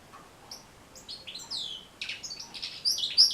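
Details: European goldfinch song for teaching and motivating goldfinches to sing: faint notes at first, then sweeping downward whistles and a dense run of high chattering twitters growing louder toward the end.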